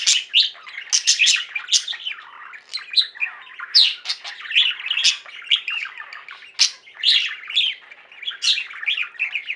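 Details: Pet budgies singing and chirping as a flock: lively rapid twittering, rising and falling warbled notes, and frequent sharp loud chirps across the whole stretch.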